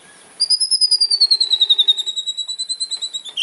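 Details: Fighter-style song of a white-rumped shama meant to provoke rivals: a fast, even rattle of about twenty-five pulsed notes, high and slowly descending, held for nearly three seconds.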